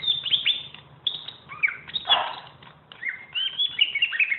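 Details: Greater green leafbird (cucak ijo), a champion singer recorded as tutor material for other birds, delivers fast, bright whistled and slurred notes in bursts, with a short harsher rasp near the middle.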